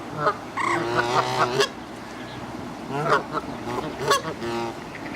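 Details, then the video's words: Canada geese in moult on a pond in Midhurst, West Sussex, England, giving drawn-out nasal honks and shorter barking calls in two bouts, with steady background noise between them. "Canada geese - Branta canadensis - Kanadagæsir - Í sárum - Gæsakvak"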